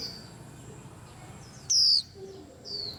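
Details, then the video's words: One strong, high, falling whistle from a white-eye, followed by thin softer twitters and a lower brief note from nearby birds in a lively, agitated rack. "Tiếng Chim Khuyên Làm náo loạn cả giàn"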